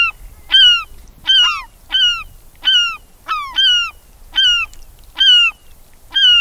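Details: Glaucous gull (Larus hyperboreus), a single bird recorded medium close-up, gives loud, harsh, down-slurred mewing calls about one a second, with another gull calling faintly in the background and soft water sounds.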